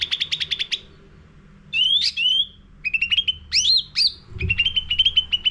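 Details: Caged sooty-headed bulbul (cucak ranting) singing a lure song for training: a fast run of repeated chips, then looping whistled notes and high upward sweeps, ending in a long stuttering series of short notes.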